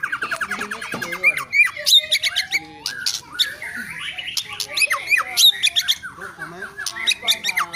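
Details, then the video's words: White-rumped shama giving scratchy, chattering phrases with harsh notes and occasional thin whistles. The delivery is rapid and broken. "Lagu & Gaya Keren Murai Batu"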